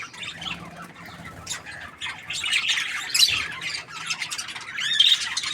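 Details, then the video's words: Happy budgerigar chirping, softer at first, then building into louder raspy squawks and high twittering notes. "Happy Budgie chirping sounds"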